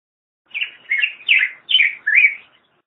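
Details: Five sweet, slurred whistles from a Black-headed grosbeak, each swooping down then up, spaced about every 0.4 seconds in a short, bright phrase.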